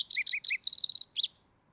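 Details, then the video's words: Green-tailed towhee giving a short high note, three two-part notes that step down in pitch, a rapid dry trill of about eight notes, and a final sharp rising-falling note. Background is quiet. "Green-tailed Towhee Bird Sound Video: Bird Call"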